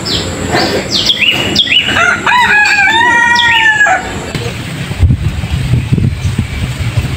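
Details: Rooster crowing in a peaceful Indonesian village: one long, drawn-out crow with a rising start and a sustained, wavering middle, while small birds chirp in the background and rustling noise follows.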